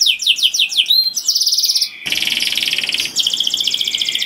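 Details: Singing canary, loud and melodious, meant to draw in other canaries: rapid repeated downslurred notes, then dense buzzy trills broken by a brief pause, bright and high throughout.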